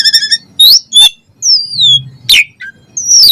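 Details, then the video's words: Asian pied starling song: a brief warbled trill, sharp squeaky notes, then a long falling whistle and further slurred downward notes. "Jalak Suren Gacor Full Isian"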